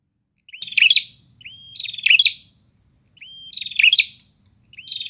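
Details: Answering prinias: each phrase begins with a thin rising whistle that breaks into a loud grating, buzzy rattle, four phrases spaced roughly a second or more apart.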